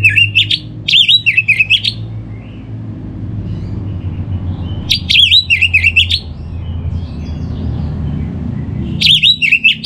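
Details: Orange-headed thrush song for coaxing other birds to sing: repeated loud bursts of bright, fast whistled phrases with quick up-and-down inflections, coming in clusters a few seconds apart over a soft low hum.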